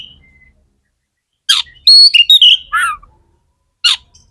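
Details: Sparse magpie-robin song aimed at stirring other magpie-robins: a faint thin whistle, then a sharp chip, a cluster of bright warbled whistles, and a final lone chip.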